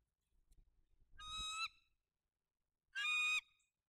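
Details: Bald eagle at its nest during incubation of a single egg, November 2022, on a live nest camera: two loud, harsh, harmonic squealing notes about 1.5 seconds apart, with soft low rustling and thumps beforehand.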